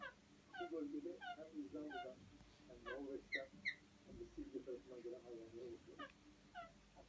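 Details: Male Alexandrine parakeets give breeding-season mating calls: quick falling squeaks about twice a second over a lower, nasal, warbling chatter from several birds.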